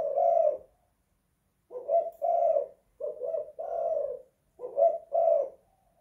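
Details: Indoor spotted dove giving a series of low cooing notes, a drawn-out coo then paired short and long coos in quick succession.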